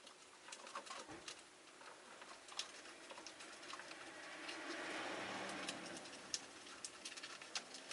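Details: Rosy-faced lovebirds, five kept in a cage by a window, giving short, shrill chirps at irregular intervals, a few sharper than the rest, over a steady indoor hiss.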